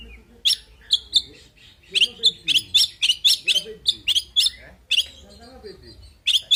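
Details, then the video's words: Oriental magpie-robin (kacer) fighting song: clipped, ringing high notes in a quick series of about a dozen, with softer low warbling sounds mixed in below. "Suara Burung Kacer Full Isian Tarung Bikin Emosi"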